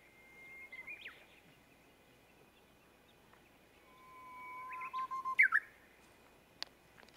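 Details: Japanese bush warbler: a brief twisting phrase, a pause, then a sustained low whistle swelling in loudness before a sharp, rising and falling ending flourish, with a single click after.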